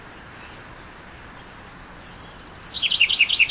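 A Northern mockingbird gives two thin high whistles, then a quick run of about eight sharp, wavering high notes, over a soft background hiss.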